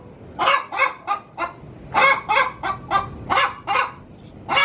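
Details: Hen clucking and cackling inside her coop as she prepares to lay an egg, a call said to attract wild junglefowl males; sharp repeated squawking notes about every half second, grouped in short runs.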